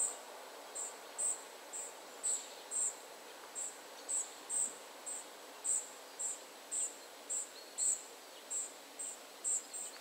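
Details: Family of spotted flycatchers: thin, very high short notes repeated roughly twice per second at uneven intervals against a steady hiss of background noise.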